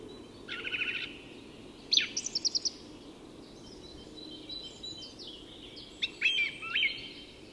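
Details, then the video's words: Dawn song of a song thrush in Tyresta National Park, Sweden: a quick rattled phrase, then a bright note followed by a run of five short repeated notes, and later softer twittering phrases above a faint background hiss. "Song Thrush at Dawn"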